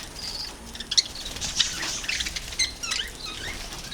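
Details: Budgerigars in Kerala give short, high, scratchy chirps and squeaks in an uneven, busy chatter.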